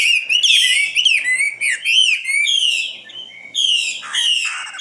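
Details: Singing common nightingale recorded in 2016: strong whistled and buzzy phrases separated by brief pauses, each note dipping then rising, with a quieter lull before a final loud burst.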